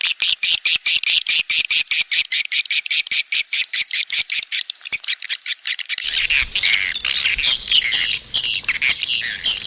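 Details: Edible-nest swiftlet lure call, described as a mating call to draw swiftlets to a nest house: rapid, dense twittering chirps repeated a little over twice a second, becoming busier and more jumbled after six seconds.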